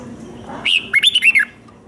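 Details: Red-whiskered bulbul, caged, fighting song for training birds: one brief phrase of a rising whistle followed by four quick bright slurred notes.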